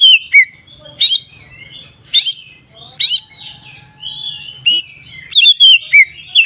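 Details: Oriental magpie-robin giving ngeplong-style song, used as a lure to make other magpie-robins agitated: loud, clear whistled phrases mixed with sharp upslurred notes and quick chattering bursts, repeated roughly every second over a faint low hum.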